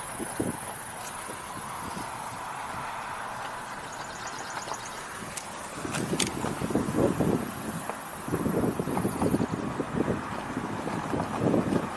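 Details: Wind buffeting the microphone over a steady vehicle-like rumble, with gusts growing stronger in the second half; no animal voices.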